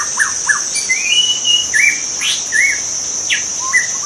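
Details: White-rumped shama in the wild delivering rich whistled phrases, rising slurs and sharp downward sweeps, backed by a continuous shrill insect drone.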